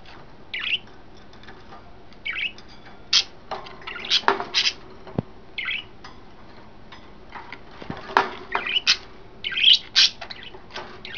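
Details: Three pet budgerigars in a new cage setup chirp and warble in short, bright bursts every second or so, with some harsher squawky notes and a few light clicks in a quiet room; a cat later jumps up and scares them.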